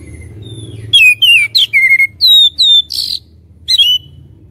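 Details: Oriental magpie-robin lure song meant to fire up rival birds: a dense three-second string of loud, sweet whistles and sharp slurred notes, including one harsher burst, after a quiet start.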